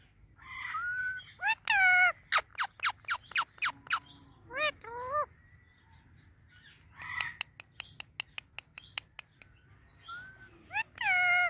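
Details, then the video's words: A pet Indian ringneck parrot, handled by its owner, mixes loud harmonic squawks with bursts of quick clicking chirps, pauses, then gives another chirp burst and closing squawks, all over a faint low hum. "Touching My Super Cute Talking Ringneck Parrot | Natural Parrot Sounds"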